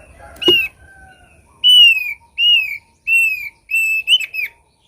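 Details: Thick-billed white-eye song used as a lure: four loud, drawn-out whistles, each slightly falling, spaced about half a second apart, after a short click at the start.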